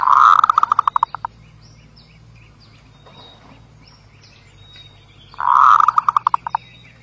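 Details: Zebra dove cooing: two loud phrases about five seconds apart, each a rolling burst that breaks into a run of quick staccato notes; faint background chirps and low hum between phrases.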